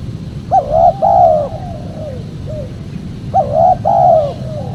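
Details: Spotted dove lure call for drawing in wild birds: gentle rolling coos in short phrases, the last note trailing downward, two phrases separated by a pause, with steady low hum beneath.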